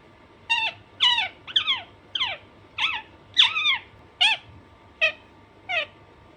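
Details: Pet Alexandrine parakeet uttering ten or so harsh, descending squawks, spaced about half a second to a second apart, over a low room hum.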